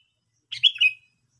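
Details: A single short call from a Sooty-headed bulbul, used as trapping lure audio: a half-second burst of two or three quick, slightly slurred notes, clean against a silent background.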